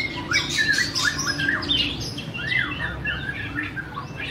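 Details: White-rumped shama singing: quick varied phrases of rising and falling whistles, slurred sweeps and sharp chirps, with a steady low hum underneath.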